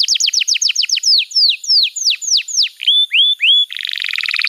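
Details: Canary master song for training young canaries: quick series of descending sweeping notes that slow and lengthen, a few rising whistles, then a buzzy rapid trill.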